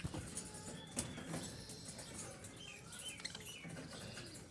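Budgerigar chatter of quick, high chirps and squeaky warbled notes over a soft background rustle.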